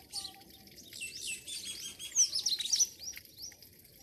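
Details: Village birds in Pakistan at morning, giving rapid overlapping chirps and thin rising whistles, building to a dense, loud flurry of twittering midway before thinning out.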